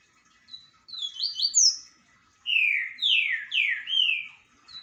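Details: Double-collared seedeater song, a lively run of high slurred whistles. A quick cluster of rising notes is followed after a pause by four lower, fuller downslurred whistles in steady succession. The background is quiet.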